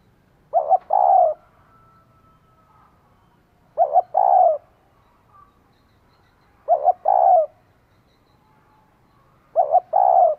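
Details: Female spotted dove calling to excite a male: four low phrases roughly every three seconds, each a quick double hoot then a longer coo. The surroundings are quiet.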